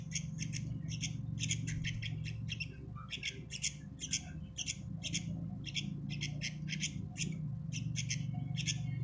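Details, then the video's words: Sooty-headed bulbul chick giving rapid, harsh, raspy squawks in quick irregular bursts, roughly two per second, over a steady low rumbling hum. "Aanakan Burung kutilang"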